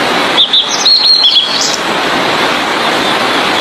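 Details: Blue-and-white flycatcher in full song, a recording meant for training other songbirds: a brief run of high, clear whistled notes and quick slurred phrases in the first two seconds, then only a constant broad hiss.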